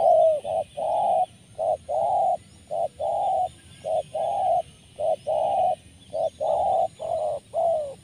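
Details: Spotted dove, its call rich in rolling 'rrr', heard at a bird-trapping spot by a graveyard: a loud, steady run of clipped purring coos, short and long notes alternating almost every half second over soft background hiss.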